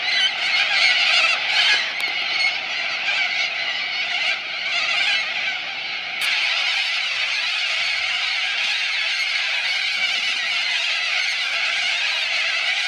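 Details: Loud corella flock at Minkies Lagoon, Coopers Creek, South Australia; continuous grating screeching from many birds, steady and unbroken, with a brief sharp click partway through.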